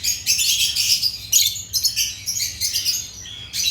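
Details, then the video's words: African lovebirds chirping: dense, high, buzzy chatter in rapid overlapping bursts, with brief pauses between clusters of calls. "Agapornis lovebirds chirping sounds"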